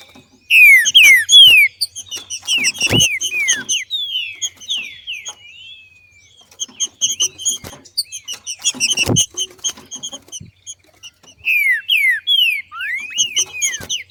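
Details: Female green-winged saltator in nature singing in the male-like 'macheando' style, used to stimulate other saltators to sing; clear whistled phrases of rising and falling slurred notes in bursts, with frequent dry clicks and taps between phrases.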